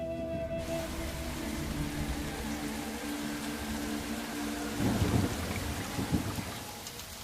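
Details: Heavy rain and rumbling thunder dominate, with a steady mechanical hum early on and no animal calls.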